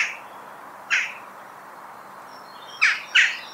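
A Western jackdaw gives short, sharp 'chak' calls: one alone, then a quick pair near the end, with faint thin notes of another bird in between.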